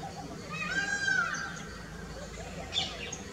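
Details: Asian koel courting a mate in Jaipur, Rajasthan, India: a single drawn-out, slightly arching whistled note of moderate pitch, followed by faint, higher chirps from other birds over a low background hum.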